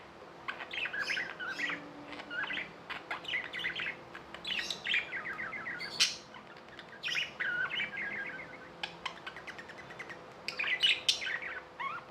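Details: Tame budgerigars give steady chattering chirps, rapid warbled phrases and short buzzy notes with occasional sharp ticks, over a faint background hum.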